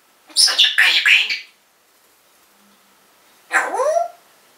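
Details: A pet African grey parrot talks from its cage in 2012, calling the owner's mum's name: a run of three loud, harsh, speech-like syllables, a quiet gap, then a voiced call with stacked rising harmonics.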